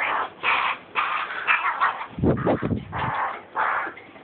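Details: Carrion crow nestling giving harsh, hoarse rasping calls in short bursts of about half a second, repeated several times, with a low thumping, handling-like noise in the middle of the sequence.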